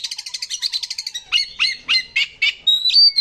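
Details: Oriental magpie-robin song used as a lure to set other birds singing: a fast run of about a dozen high chirps, then loud, buzzy, downslurred notes repeated roughly every quarter second, ending in a sharp whistle.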